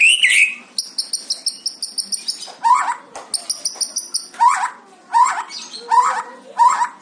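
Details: White-rumped shama in fighter style: a rapid train of high metallic ticks, then repeated lower buzzy chattering notes about once a second.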